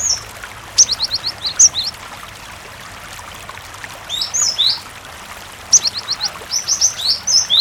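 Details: Cinereous tit song played with a water sound to draw other tits into singing: three separate bursts of rapid, high, squeaky chirps, each a short run of sharp slurred notes, with a constant trickling stream beneath.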